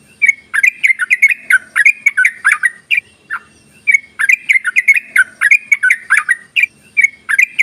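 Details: Ropelan chatter of a yellow-vented bulbul (trucuk), played to coax idle bulbuls to sing: two long bursts of rapid, bubbling, jumbled notes separated by a brief pause around three seconds.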